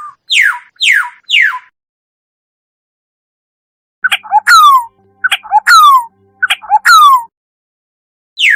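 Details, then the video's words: Black-naped oriole calls with no background noise: sharp, downward-sweeping nasal notes, first three in quick succession, then after a pause a series of harsh, squealing downslurred calls in pairs. "tiếng chim vàng anh // suab noog daj"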